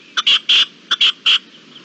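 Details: Red-legged partridge, 25-04-21, uttering two grouped phrases of rasping chuck notes, each a short lead-in click followed by two longer harsh bursts, then quiet.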